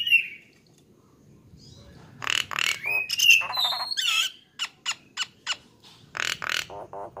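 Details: Song of a Nias hill myna on a training recording for songbirds: a short whistle, a quiet gap, then loud harsh squawks, a wavering whistle, and a run of sharp, evenly spaced clicking notes.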